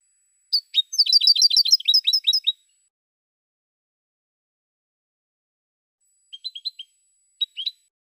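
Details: Goldfinch cante from 2016: a dense burst of rapid tinkling, liquid notes lasting about two seconds, then a long pause and two short faint phrases of three or four chirps near the end.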